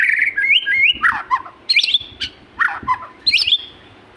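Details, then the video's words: Vigorous magpie-robin song: rising stepped whistles, then repeated harsh scratchy bursts alternating with short whistled slurs. "burung murai gacor"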